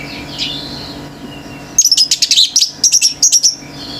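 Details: Male orange-headed thrush in full, intense 'gacor teler' song that sets other birds raging: after near silence, a rapid burst of high, clipped whistled notes and chirps packed into under two seconds, over a steady low hum.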